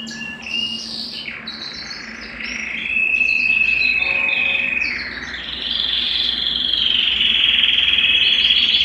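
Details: Belgian canary singing to excite males and bring females into breeding condition; chattering notes give way to a steady whistled roll, then a long, intense, high buzzing trill.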